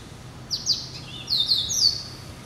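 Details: Hybrid finch, a cross of yellow-eyed canary and Timbrado, hatched November 2012, kept as a pet bird, singing two brief bursts of high, bright, sweeping trilled notes with a quiet gap between them.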